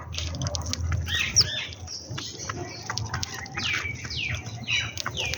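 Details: Several sparrows feeding in the morning, giving quick high chirps and downslurred tweets in irregular bursts, with wing flutters and faint low background rumble.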